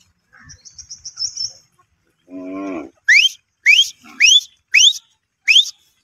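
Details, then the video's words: Grey francolin giving five loud, sharply rising whistled notes spaced roughly 0.6 seconds apart, preceded by a soft fast twittering run and a brief low, buzzy harmonic note. "Best voice of grey francolin | teetar sound,Teetar awaz"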